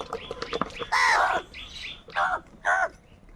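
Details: Many crows calling in the morning: harsh, broad caws, one long rasping call followed by two shorter ones spaced about half a second apart, with faint chirps of smaller birds behind.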